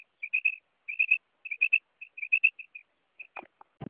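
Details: Female quail calling, a sound used in hunting: quick bursts of two to three soft, whistle-like notes on one pitch, separated by short pauses, followed by brief knocking handling noises at the end.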